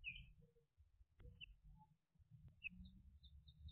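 A catbird gives a jumble of short squeaky notes and thin whistles that jump between high and middle pitches, over a steady low rumble.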